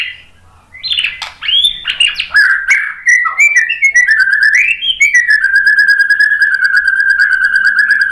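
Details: Lure song of a white-rumped shama for setting off other birds, made of swooping whistles and varied phrases that run into a long, steady, rapidly pulsed trill.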